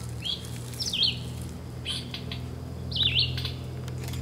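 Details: A Red-eyed Vireo filmed at the Cornell Lab of Ornithology, New York, gives short, clear whistled phrases that slur up and down, separated by brief pauses, over a steady low hum.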